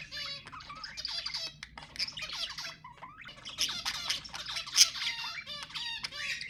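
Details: Budgerigar warble meant to stimulate mating: nonstop busy twittering of buzzy, harmonic notes, clicks and brief whistles, swelling slightly toward the middle and staying lively to the end, faint hum behind.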